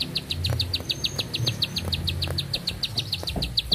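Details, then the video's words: Bar-winged prinia singing vigorously in one long-breathed song: a fast, even string of short high chirps, about eight a second, running steadily over a low background hum. "Nafas Panjang, Nembak Satu Lagu, Ciblek Sawah Gacor"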